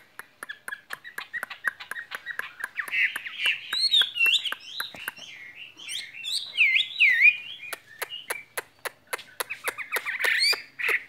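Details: A caged skylark's spring song: quick, jumbled chirps and looping whistled phrases, starting quietly and then growing louder. Steady sharp clicking runs underneath almost throughout.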